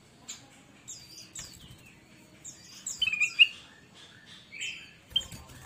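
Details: Kutilang emas bulbul in loud song, used as a master recording to train newly bought cage birds that rarely sing; scattered high, sharp downslurred chirps with a few brighter squeaky notes, separated by short pauses.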